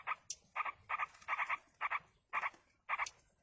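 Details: Yellow-vented bulbul chicks being fed by a parent in the wild, giving harsh rasping begging notes in short clusters of two or three, repeated about twice a second with brief pauses between groups.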